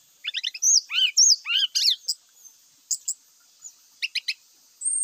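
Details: Brown-chested jungle flycatcher song used as a lure that provokes rival birds to fight: a burst of quick rising and falling whistled slurs, then scattered sharp clicks and a thin high whistle at the end.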